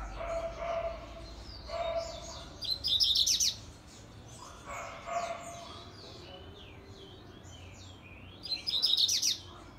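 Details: Double-collared seedeater (coleiro) singing a fast version of the grego song style: two bursts of rapid, high, buzzy trilled notes, with scattered thin chirps between them and lower droning tones underneath.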